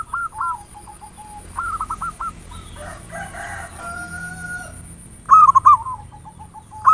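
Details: Local zebra dove song in the ngayer nulop style, played as a lure to provoke singing: scattered soft purring coos, some murky background noise mid-way, then one loud rolling stuttered phrase near the end.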